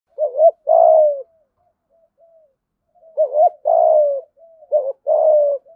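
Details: Spotted dove kept as a decoy bird and trained to coo daily: two cooing phrases about three seconds apart, each a short hooked note or two then a long drawn coo falling at the end, soft faint notes between.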